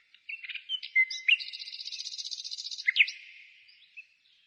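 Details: Spring bird song outside the city on 15 May 2017: a few clipped notes lead into a long, high, buzzy-sounding trill, closed by sharp downslurred accents and a soft fading note.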